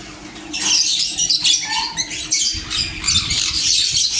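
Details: Sun conure screeching: rough, raspy shrieks begin after a short quiet start and then run almost without break, with one brief lower whistled note in the middle and a faint low background hum.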